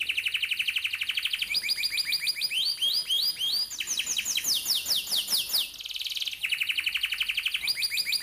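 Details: Canary singing a long rolling training song meant for young birds to learn from, changing through fast chirped trills, swooping downward notes and dense buzzy rolls, repeated roughly twice a second.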